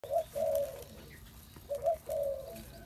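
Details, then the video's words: Spotted dove cooing: two low, mellow phrases, each a short soft note followed by a longer, steady hooting coo, with a pause of about a second between them. "Chim cu gáy"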